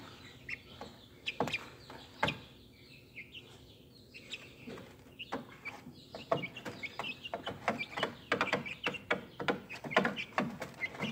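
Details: Speckled Sussex chicks, hatched March 22, 2023, heard on April 30, 2023: short high peeps scattered among frequent sharp scratching and tapping clicks, with the peeps growing busier toward the end.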